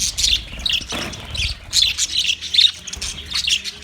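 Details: Budgerigars recorded 9 March 2024 give quick high chirps and scratchy warbled notes in short clustered bursts, with a faint low thump near the start.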